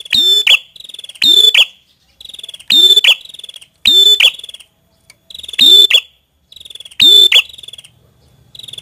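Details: Prinia, locally prenjak kepala merah, repeats a long buzzy trill that ends in a loud, sharp, squeaky note, about once every one and a half seconds, with quiet gaps between.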